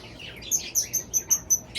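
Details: Lovebird alarm in a bird playroom, reacting to four green cheek conures newly moved into the small bird room: a run of five or six sharp, high, shrill chirps, roughly four or five per second, over faint room hiss.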